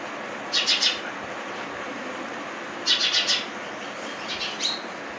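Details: Young sparrow calling in short clusters of three or four thin, high chirps, repeated about every two seconds, with a fainter last group, against constant broadband background noise.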